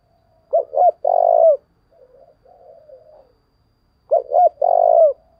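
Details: Spotted dove decoy (lure) call from Vietnam: low, hollow coos in a short phrase, repeated after a pause.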